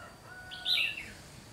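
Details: Decoy red-whiskered bulbul used for trapping, 30 June 2020, giving a single sweeping warbled phrase with a sharp bright peak, over faint hiss and a thin steady tone.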